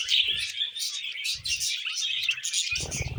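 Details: Several happy pet budgerigars chatter nonstop while feeding on vegetables, a dense blend of high twittering notes, broken by soft low bumps and rustles.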